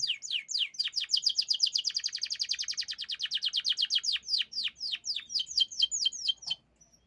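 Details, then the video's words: Canary song delivered as a rapid rolling trill of high, downward-sweeping notes, very fast at first and gradually slowing into separate sweeps over about six seconds before stopping, over a quiet background. "The unique sound of the canary bird calms the mind"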